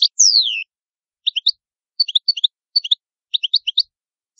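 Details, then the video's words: Italian European goldfinch: a drawn-out descending whistled note followed by evenly spaced pairs of short high chirps, about one cluster every half second. "Canto Ottimo Bello del Italiano Cardellino"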